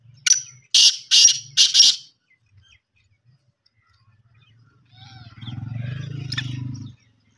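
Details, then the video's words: Black francolin, known locally as kala teetar or Sindhi teetar, giving a loud, harsh, grating call of four rapid scratchy notes within two seconds, followed by silence and then a low humming drone. "kala teetar ki awaz black teetar ki awa desi teetar ki awaz sindhi teetar ki awaz teetarvoice"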